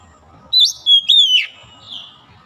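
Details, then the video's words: White-rumped shama recovering from reluctance to sing gives a brief phrase of high whistles sliding downward into a fading buzzy tail, over soft low background noise. "PEMULIHAN KACER YANG MALAS BUNYI JADI GACOR"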